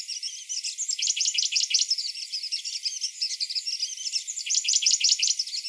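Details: Grey-breasted prinia singing in the morning: bursts of rapid, sharp, high notes run together into quick chattering trills, with short pauses between phrases and several repeats, with no other clear sounds.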